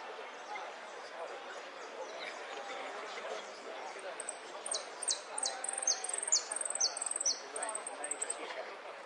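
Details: A saffron finch (Sicalis flaveola) sings a quick run of very high, thin, down-slurred notes, about two per second, in a song of 'golpes, pitadas y prio' phrases, over a soft murmur of voices and other birds.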